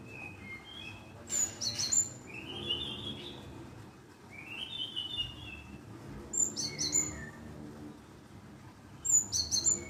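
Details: Lure call of the Java sparrow, used to prompt a reply: bursts of sharp, high chipping notes recur about every three seconds, with softer rising whistled notes between them and a low steady hum underneath.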